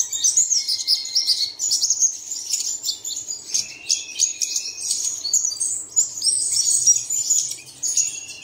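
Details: Several birds chirping together, a recording used at dawn to get caged birds singing. Rapid, high tweets tumble over one another, with a brief lower whistled note near the start and a slightly quieter pause midway.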